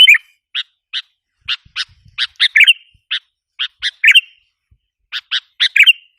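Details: Provocation lure of a sooty-headed bulbul: isolated bright chirps about every half second, interspersed with short slurred warbling notes, quiet background.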